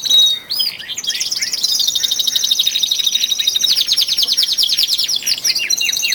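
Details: Male canaries, twelve in number, intensifying song in early February before spring; a short whistle then a long, fast, even trill, shifting into rolling arched notes, with other birds overlapping.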